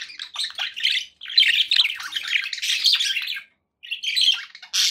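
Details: Budgerigars kept as pets chirp and warble in rapid scratchy phrases, pausing briefly before a last bright burst of chatter.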